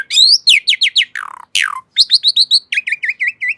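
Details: Asian pied starling song of loud falling whistles, a scratchy rattle, then quick chirps and a steady series of short dipping whistled notes near the end.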